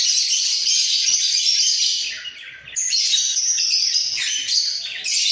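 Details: Two budgerigars kept in a breeding cage sing while bobbing their heads, a continuous busy chatter of buzzy and squeaky notes that dips briefly mid-way, then resumes at full strength.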